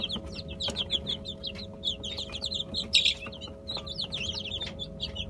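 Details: Chicken chicks feeding on homemade mash of bulgur, egg and olive oil; loud, overlapping shrill peeps from many chicks, one louder burst near the middle, over a constant low hum.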